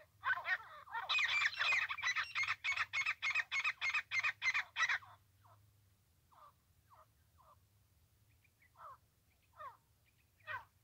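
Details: A francolin recorded during trapping gives a loud, harsh, grating series of about a dozen rapid notes, roughly three a second, then softer scattered clucks.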